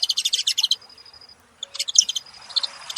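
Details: Saffron finches heard in a quick pulsed chatter of bright, high notes, a pause with a thin steady tone, then another burst of rapid chirps.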